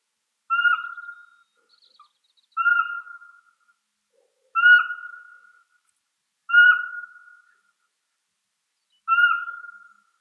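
A Eurasian Pygmy Owl gives five clear, mellow whistled toots, each short and level, repeated about every two seconds in a quiet setting.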